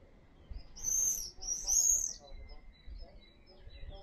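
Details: Common swifts near a house, giving two drawn-out, very high, shrill screams in quick succession, then quieter faint high notes over soft background noise.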